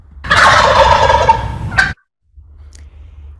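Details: A male New England wild turkey (gobbler) from Massachusetts gives one loud, rapid, rattling gobble lasting under two seconds, followed by quiet room hum.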